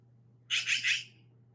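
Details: Black-billed Magpie call: three quick harsh, rasping chatter notes in under a second, with a faint low hum beneath.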